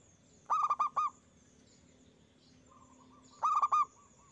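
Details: Loud zebra dove phrases from a lure recording of a local bird, meant to draw replies from other doves: two quick groups of four hollow, bell-like coos about three seconds apart, over a faint steady hum.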